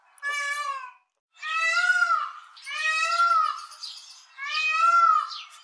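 An Indian peafowl gives four loud, nasal, cat-like wails in quick succession, each lasting under a second, rich and ringing with a slight rise and fall.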